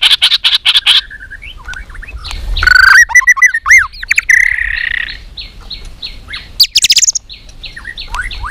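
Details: Caged white-rumped shama trained for singing contests: rapid high pulses, then looping whistled phrases and buzzy warbles with scattered short notes.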